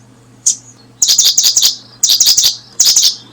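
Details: A brooding Paddyfield pipit (Anthus rufulus) gives high, thin chirps: one lone note, then three quick bursts of four or five sharp notes each, about a second apart, over a faint low hum.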